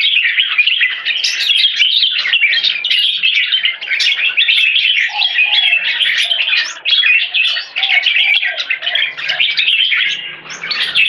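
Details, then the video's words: Caged red-whiskered bulbul singing in a rapid continuous stream of bright whistled, chirping phrases, jumbled and high, with brief pauses and a few lower notes mid-way. "Troy One stroke singing lead to keke"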